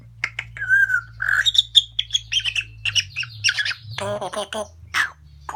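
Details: A pet parrot chatting away indoors: a rapid jumble of whistles, chirps, squawks and speech-like babble, with low steady hum beneath.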